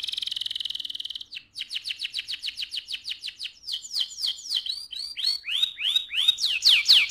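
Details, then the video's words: AF canary singing actively in the loud ngerol (rolling) style: a high buzzy trill, then rapid repeated downslurred notes speeding into sweeping whistled arcs that rise and fall, about two per second near the end. "KENARI AF GACOR, NGEROL VOLUME KERAS"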